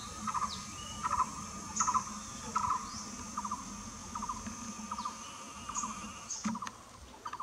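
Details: Blue-throated barbet at Nam Nao, calling with short, low, rattling note groups repeated roughly every second and fading later, with a faint steady background hum and occasional thin high sounds.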